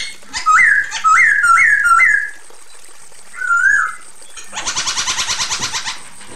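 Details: Female Chinese hwamei calling to the male: four rising whistled notes in quick succession, a pause, one more whistled note, then a fast buzzy rattling series.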